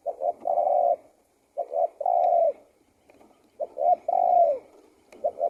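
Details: Three and a bit spotted dove phrases in quick succession, each a pair of short coos running into a long, even, low note, with faint clicks between.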